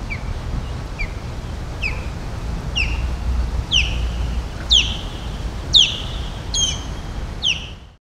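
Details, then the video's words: Florida osprey near Palm Beach calling steadily: about nine high, slurred whistles at roughly one-second intervals, starting soft and building to loud, ringing notes, over a constant low rumble in the background. "Amazing Florida Osprey Calling"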